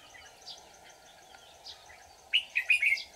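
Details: Red-whiskered bulbul decoy at a trapping site, 24 July 2019. Faint scattered whistles, then a sudden loud run of four bright, bubbling warbled notes.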